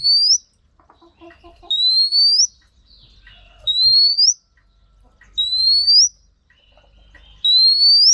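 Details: Female Oriental magpie-robin, used to excite males into song: clean, rising whistled note repeated about every two seconds, with faint soft chips between.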